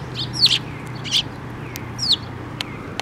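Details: Sparrows arriving to be fed on a water bridge near Tenmangu, 5 May 2024; three short, shrill, slightly downslurred chirps spaced under a second apart, with quiet low hum underneath.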